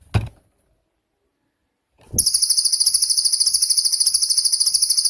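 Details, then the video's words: Cililin (pygmy tit) 'tembakan' song, recorded as a training master for songbirds such as magpie-robins and shrikes: after a brief knock, a sustained, very high, fast pulsing trill runs steadily for about three seconds. "BURUNG CILILIN COCOK UNTUK MASTERAN"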